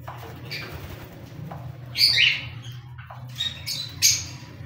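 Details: Cockatiels giving two loud, harsh, rising squawks about two seconds apart, with a few softer chirps and a steady low hum behind them.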